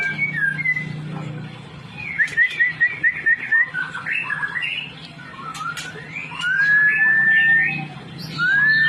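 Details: White-rumped shama singing clear whistled phrases, some trilled and some rising slurs, with scattered sharp chirps over a steady low hum.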